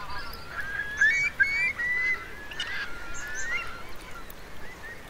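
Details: Eurasian curlews from a roosting flock of roughly 3,000 in wet meadows at Marquenterre, Bay of Somme, sheltering from a high-coefficient tide on 7 October 2021. Repeated rising whistles from several birds, busiest in the first half.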